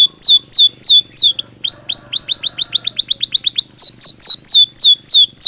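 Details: Belgian canary singing naturally, a loud run of clear high whistled notes that sweep down, then a fast series of short rising chirps repeated about four times a second, before the falling whistles return.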